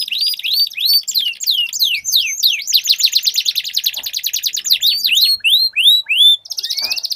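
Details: Two canaries dueling with long rolls: repeated rising whistled notes over a continuous buzzing trill, a string of upslurred chirps, then a fresh high roll.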